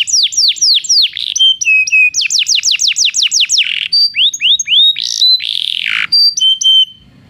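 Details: Belgian canary song used for training canaries that do not sing: fast series of bright descending whistled notes, then flat trills and upslurred chirps, ending in a short buzzy burst and sweet whistles.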